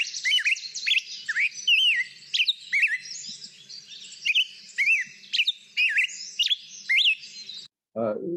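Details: Black-headed Grosbeak in the Boise, Idaho area sings a fast run of clean, up-and-down whistled phrases, higher and faster than a robin's, before a brief low voice cuts in at the end.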